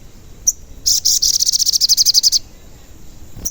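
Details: Sogon, a lure recording of a frequently singing bird used to make other sogon sing and grow agitated: a single thin high note, then a fast, even, very high-pitched trill of sharp chips lasting about a second and a half, and a final faint note.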